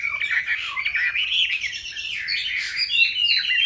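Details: Caged Chinese hwamei, kept since caught young and now in its fifth year, giving a dense, slightly rough stream of warbled and slurred notes over faint low background rumble.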